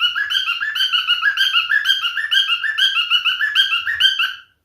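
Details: Male cockatiel sings rapid, warbled whistles in a busy chain, rising and falling over and over, then the song cuts off sharply at the end.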